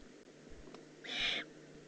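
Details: A young Eurasian eagle-owl recorded in the Eifel on 18 June 2016 gives one breathy, raspy hiss lasting under half a second. The background is quiet apart from faint low rustles.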